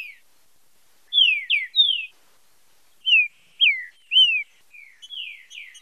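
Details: Green-winged saltator, the trinca-ferro, giving its fibra com marcheado song for training: groups of three bright whistles dropping in pitch, repeated in two clusters, then softer trailing notes.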